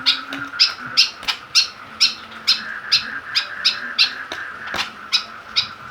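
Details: White-breasted woodswallow (kekep babi) in a cage, made aggressive by a plastic bottle it attacks; evenly paced harsh notes, about three each second, sounding over a steady high background tone.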